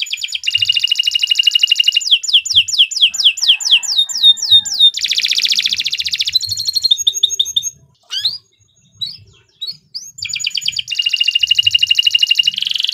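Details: Extended canary song used as a training model: dense buzzy trills and fast descending sweep series, then rattling phrases, a short break with scattered notes, and a renewed high buzzing trill to the end.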